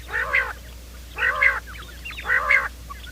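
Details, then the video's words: Quail calling for trapping in the morning: three loud, coarse, nasal calls, evenly spaced about a second apart, each rough and slightly wavering, with faint squeaky notes between them. "Bater ki awaaz"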